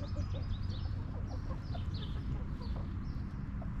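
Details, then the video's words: Backyard chickens resting in their coop, hens giving soft, short, low clucks scattered through the moment over a steady low hum, while small wild birds chirp thin and high in the background. "Rooster Crowing! Hens Clucking!"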